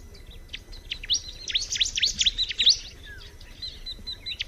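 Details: Bar-winged prinia singing a dense mid-clip burst of high, downward-slurred chirps, flanked by fainter scattered tweets and a short falling whistle.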